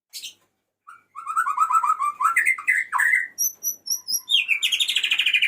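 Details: Male white-rumped shama calling the female with a long, varied song: rapid warbled whistles climbing in pitch, thin high notes, then a fast buzzy trill at the end.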